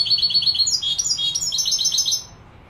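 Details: Malaga goldfinch from Morocco singing a fast, continuous stream of sharp chirps and liquid twitters, tumbling notes run together for about two seconds before fading into quiet.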